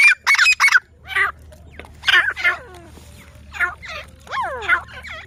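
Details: Grey francolins, locally teetar, in Pakistan, several birds giving harsh, loud bursts of calling in quick clusters, then slurred, rising and falling whistled notes toward the end, with low background hum.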